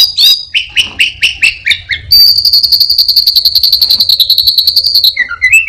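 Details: Orange-headed thrush, a captive songbird mimicking other birds, sings a series of slurred descending whistles, then a long buzzy trill held steady before ending in short whistled notes.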